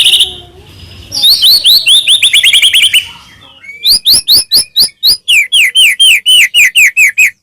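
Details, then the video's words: White-rumped shama singing to provoke other shamas: a short high whistle, a rapid trill of high slurred notes, then a long steady series of sharp downswept whistles about two per second. "murai batu gacor AMPUH buat PANCINGAN murai batu agar bunyi"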